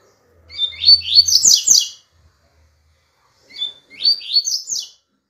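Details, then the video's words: Song of a double-collared seedeater, two bright phrases of quick slurred chirps and trills about two seconds apart, high and sweet, with a low hum beneath the first phrase. "CANTO DO PAPA CAPIM"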